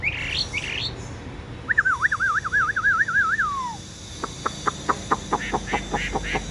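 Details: Captive, tame Chinese hwamei with yellow bill and legs: short whistled notes, then a long wavering warbled trill falling at the end, followed by a rapid series of sharp clicking notes.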